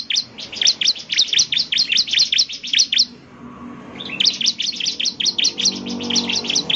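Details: Bar-winged prinia in lively 'gacor' song, meant to make other prinias answer: rapid high, sharp chirped notes in two bursts of about a dozen each, separated by a one-second pause, over faint low background hum.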